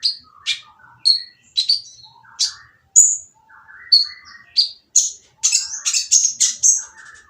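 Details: Harsh-voiced oriental magpie-robin song for provoking lazy, silent magpie-robins to answer: varied sharp chirps, short whistles and lower chattering notes, speeding into a dense run of high rasping notes near the end.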